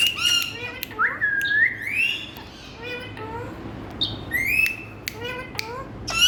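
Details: Ring-necked parakeets, Indian talking parrots, producing rising whistled notes and harsh harmonic squawks at irregular intervals, some short chirps between, with a faint constant low hum behind.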